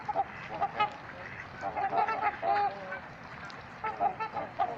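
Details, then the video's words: Trumpeter swans calling at Gallup Park in Ann Arbor, Michigan: a flock gives short nasal honks, several overlapping, in scattered bursts with brief pauses between them. "Trumpeter Swans Making Some Noise"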